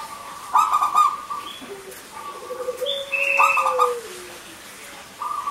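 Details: Actively singing local zebra dove used as a lure for doves that have stopped singing: rolling, pulsed coos and long, low, level tones, mixed with brief higher whistles from other birds.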